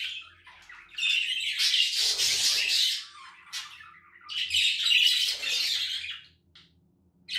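Budgerigars chatter in harsh, scratchy bursts of warbling and squawks, high-pitched and continuous.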